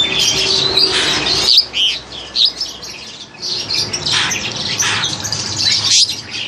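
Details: Caged crested myna of seven to eight months, bred in Indonesia, recorded with an old Samsung phone; noisy, rapidly repeated high squeaks and harsh bursts with short gaps between phrases.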